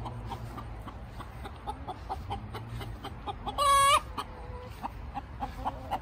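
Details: Pet chicken screaming: one loud, harsh, strongly harmonic squawk held for about half a second midway, among soft clucks and background hum.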